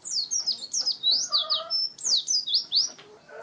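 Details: Ngalas wild-type song of an Oriental white-eye, a rapid tumbling chatter of sharp, high sweeping notes in short clustered phrases, with one brief steady whistle and faint lower tones underneath.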